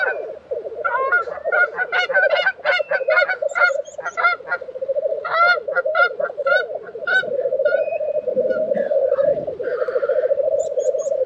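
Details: Lekking black grouse recorded in April 2023 at Tiveden, Sweden, giving a steady rolling, bubbling murmur. Loud repeated chirping notes from other birds sit on top, with brief rustling noise near the end.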